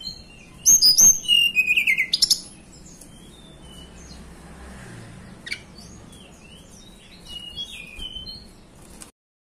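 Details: Blue flycatcher, locally Tledekan Gunung, from the Banten and West Java mountains, giving an opening burst of loud, fast whistles dropping in pitch with sharp clicks, then scattered faint high notes against a steady low background hum.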